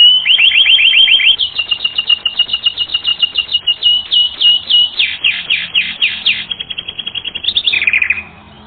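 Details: Canary in full song for a training recording, delivering long runs of rapid, rhythmic falling notes in distinct tours, a brief flat trill, then a lower descending phrase before fading out.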